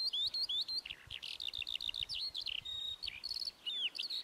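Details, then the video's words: High lark song mixing quick hooked chirps, buzzy bursts and a few thin, level whistles, delivered in a restless continuous flow. "O CANTO DA COTOVIA"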